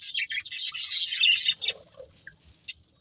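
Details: Breeding pair of budgerigars giving a brief burst of dense, squeaky chirping that fades out, leaving a single sharp chirp near the end.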